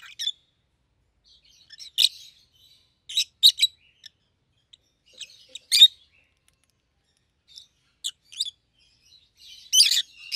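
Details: Two rosy-faced lovebirds kept as a pair, a yellow bird and a green bird with red heads, utter piercing high chirps and squeaks. Scattered single notes and quick doubled bursts recur irregularly every second or two.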